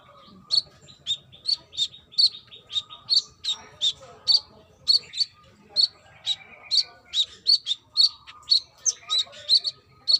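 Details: Brown-throated sunbird, a female calling a male, in full lively song: a continuous stream of sharp, high chipping notes, roughly two or three per second for ten seconds, with a faint hum beneath.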